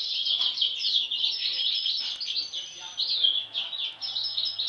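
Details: Sibling European goldfinches, two with an abnormal mask since hatching, give a lively high twittering of mixed chirps, slurred whistles and short buzzy phrases, continuous and fairly even in loudness.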